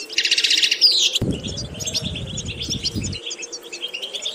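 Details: European goldfinch singing for vocal training: a buzzy rattle and whistled slur at the start, then softer scattered twittering notes, while a brief low rumbling noise passes through the middle.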